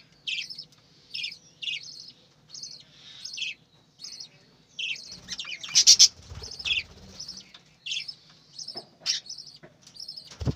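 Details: Farm-kept budgerigars giving short high chirps repeated roughly every half second to second, with a busier burst of chatter and fluttering near the middle.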